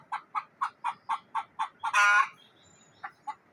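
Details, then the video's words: Frightened hen in a village in Neelum Valley, Kashmir, calling in alarm: a steady run of short clucks about four per second, broken by one loud harsh squawk, then more spaced clucks. "The frightened hen is making a noise"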